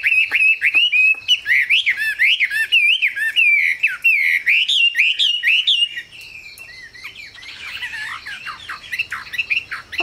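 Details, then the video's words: Chinese hwamei, kept in a cage, pouring out loud wavering whistled warbles for several seconds before dropping to softer scattered chirps and slurs. "Họa mi siêu phẩm, người dai miên man | Hoạt Họa Mi"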